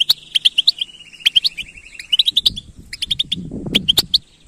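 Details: European goldfinch in batbata song: a thin sustained buzzy trill runs beneath lively chirps at first, then separate bright twitters continue over a soft low rumble.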